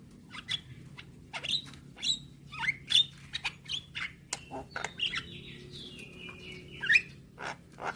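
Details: Javan myna singing as a young bird, for morning training playback: scattered harsh clicks and short chirps, then a longer descending whistled note near the end, notes spaced irregularly, faint low hum underneath.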